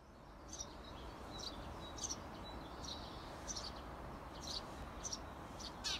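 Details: Parent Eurasian tree sparrows outside a nest box urge their 17-day-old nestlings to fledge: short, sharp, high chirps about every half second to a second over a steady low rumble of background noise.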